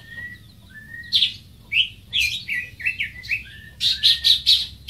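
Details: A greater green leafbird opens with two level whistles, then adds a string of downslurred and upslurred notes. It ends with a few loud, harsh, bright chips.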